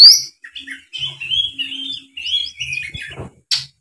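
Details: Oriental magpie-robin singing a quieter series of warbled, slurred whistles and chirps at fairly high pitch, with faint low knocking sounds indoors.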